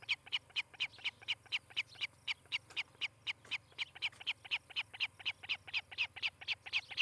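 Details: At a Charlo, Montana osprey nest on 18 July 2018, a nest cam records a bird giving clipped, piercing cheeps in an unbroken run of roughly four a second over a quiet low hum.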